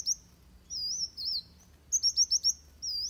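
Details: Van Hasselt's sunbird fighting song for training birds: sinuous high whistled notes that rise and fall, then a quick burst of five bright, clipped notes, followed by another wavy whistle.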